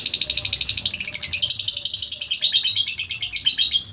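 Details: Lovebird ngekek song: a sustained, fast, shrill rattling trill of rapid pulses that dips slightly in pitch in the middle, then rises again before fading out at the end.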